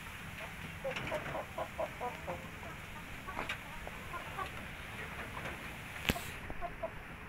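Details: Indio Gigante chickens at three months old give brief soft clucks and chirps in loose runs, several overlapping, against constant low hum, with one sharp click near the end.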